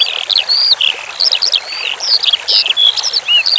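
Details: Eurasian skylark song for training cage birds over running water: a chain of clear, drawn-out whistles mixed with quick downslurred chirps and brief trills, high-pitched and continuous.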